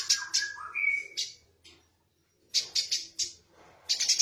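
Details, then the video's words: Eurasian tree sparrow calling rapidly in a harsh, energetic style: bursts of sharp, high chirps in quick clusters, separated by short pauses, with a few lower whistled slurs near the start. "Burung Gereja Gacor Jinak Tembakan Kasar"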